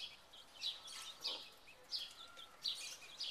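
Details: Buff Orpington chicks from a second generation, wandering in a large cage during May 2011, make overlapping high cheeps in quick clusters, several birds calling at once amid mild background noise.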